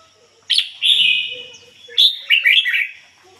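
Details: Red-whiskered bulbul used as a decoy bird, delivering 'ngoi bổi' song: a loud whistled note held for about a second, then a quick run of three or four bubbly, slurred syllables.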